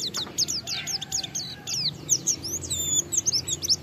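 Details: Oriental white-eye (pleci) in ngalas style song, used as a lure to get other white-eyes singing; quieter, high twittering with rapid downslurred notes and trills, low background hum.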